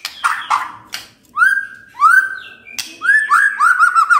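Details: White-rumped shama morning song aimed at stirring a silent shama to reply: loud clicks, then rich whistled notes swelling and falling, repeated in quick succession at the end.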